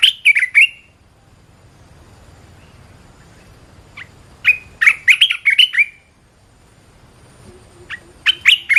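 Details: Red-whiskered bulbul in full 'gacor' song for training other birds: a chirpy warbled phrase at the start, a long quiet gap, then two more rapid bursts of bright, bouncing whistled notes.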